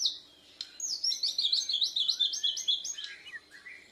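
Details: Bornean white-rumped shama, a young bird practising its song in reply to a lure, chest feathers fluffed; a quick string of high, bouncing chirps in rapid succession, followed by a few lower scattered notes.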